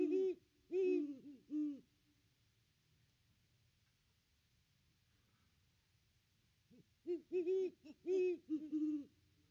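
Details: Great Horned Owl hooting from the back branch near its nest tree on Christmas Day, a pair visiting. Three deep, rounded hoots, a long quiet gap, then a quicker run of about seven low hoots.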